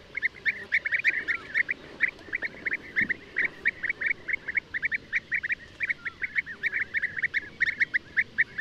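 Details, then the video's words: Chorus of European bee-eaters, with steady streams of short purring notes overlapping in a continuous chattering flock sound. "O canto do abelharuco-comum/abelharuco-europeu (Merops apiaster)"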